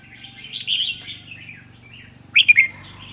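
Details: A red-whiskered bulbul from Sơn La, Vietnam, sings in the ché style on a cold day. Soft warbling comes first, then a sudden burst of three loud, quick, sliding notes.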